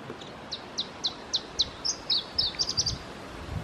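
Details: Singing male Iberian chiffchaff at Testelt, Belgium, on 7 May 2017: a series of clear, evenly spaced high notes that quickens at the end into a fast trill of higher, sharper notes.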